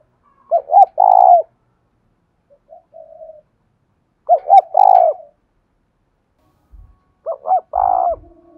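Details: Decoy spotted dove cooing to provoke wild doves into calling: three low, mellow coo phrases, each two short rounded notes then a longer drawn-out coo, spaced about four seconds apart, with a faint quieter phrase between.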